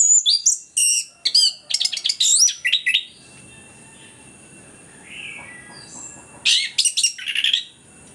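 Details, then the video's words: Lure song of an orange-headed thrush for birds reluctant to sing: three seconds of rapid mixed whistles, chirps and slurs, a lull with a soft low note, then a closing burst of high warbled notes. "ANIS KEMBANG GACOR, PANCINGAN AK MALAS BUNYI BIAR GACOR"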